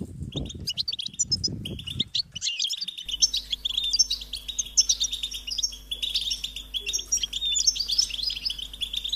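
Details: High-pitched begging calls of European goldfinch chicks asking parents for food: quick, overlapping chirps, at first over low thumping noise, then a clean, continuous twittering chorus with a faint steady hum.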